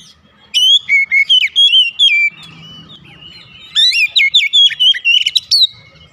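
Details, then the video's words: White-rumped shama (kacer) in morning song: two bursts of fast, bright whistled notes, rising and falling, with a softer drawn-out whistle between them. "OCEHAN KACER DI PAGI HARI"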